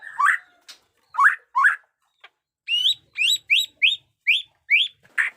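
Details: White-rumped shama in fresh plumage firing sharp, loud upswept whistled notes, a few spaced apart, then a steady series repeated roughly every quarter second, in its batuk koral and muntah beling song.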